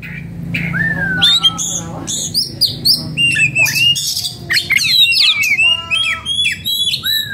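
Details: Oriental magpie-robin in breeding condition and agitated, pouring out a loud, varied song of rich whistles, slurred downward notes and sharp high chips in rapid succession, over a low steady hum.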